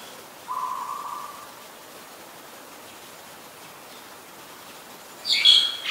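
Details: A Black-collared Starling in Ubon Ratchathani, Thailand, on a rainy 15 October 2021 gives a flat, steady whistled note lasting about a second, then a brief harsh, squeaky burst, over constant rain hiss.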